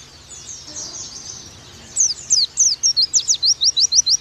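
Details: Oriental white-eye tutor song: quiet thin warbling at first, then a loud burst of crisp, high downslurred tweets repeated about three times a second.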